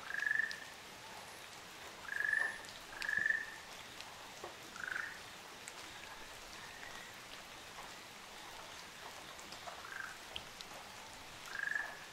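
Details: On Amami Oshima, a couple of Ruddy Kingfishers call: three rolling trills in quick succession, then softer, lower notes and a long pause before a final trill, with dripping water throughout.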